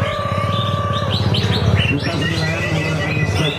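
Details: Greater green leafbird performing in a songbird contest at Kranji, Bekasi, Indonesia; quick run of upward-sweeping whistles, then a held clear note, all above a constant low rumble and background voices.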